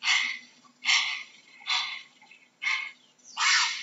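A heron gives five harsh, raspy squawks, each about half a second long, roughly one per second, with a faint low hum underneath.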